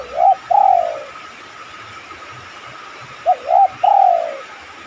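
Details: Spotted dove coo used as a lure for other doves: a short note, a looping second note and a long soft falling coo, given twice about three seconds apart, with a steady background hum.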